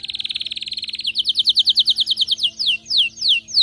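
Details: Agitated, excited canary singing. A quick buzzy trill changes into loud, clear falling whistles that slow down toward the end, with gaps between the final notes.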